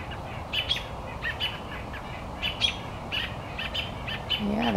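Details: Several wild birds calling in agitation after a cat caught another bird, outdoors; short chirps repeated irregularly at high pitch, with a man talking over them.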